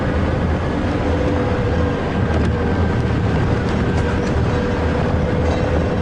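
Steady loud engine rumble of a moving vehicle on a morning safari drive at Djuma Game Reserve, with no animal sound audible.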